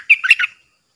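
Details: Bulbul kept as a caged decoy to draw in wild birds, 13 April 2021: one brief, bubbly phrase of three or four chirpy whistled notes that fades quickly, against silence.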